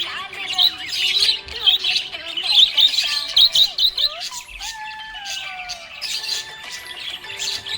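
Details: Happy budgie chirping: busy, scratchy warbling chatter with quick squeaky notes, continuing throughout, over steady lower tonal sounds resembling a voice or melody in the background.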